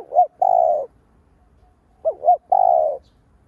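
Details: Spotted dove lure call meant to stimulate other doves: a two-note hoot and a long coo, then a pause, then the same phrase again. Both phrases are clear and low-pitched against a quiet background.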